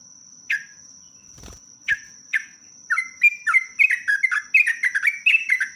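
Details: Sooty-headed bulbul singing lively, long rapid phrases: a few spaced single chirps and two thumps, then an accelerating run of bubbly, slurred whistled notes, over a steady high-pitched tone.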